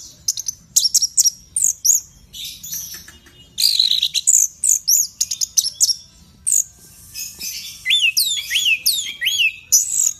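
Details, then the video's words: Energetic Orange-headed thrush song meant to stimulate a pet bird, very loud: dense chattering phrases of sharp notes and rasps, later a series of looping upslurred whistles repeated in quick succession. "Anis Merah Gacor nyape Telerrr!!!"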